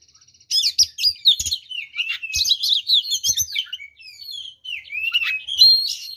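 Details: An oriental magpie-robin sings a varied fighting song that provokes rivals into anger; fast chattering chirps and buzzy notes, then softer slurred whistles and a final bright phrase.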